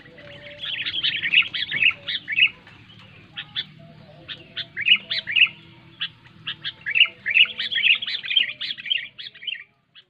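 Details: Sooty-headed bulbul song meant to prompt quiet bulbuls to sing: bursts of bubbly, warbling chirps repeated in clustered phrases, with sharp clicks between and a faint low background murmur.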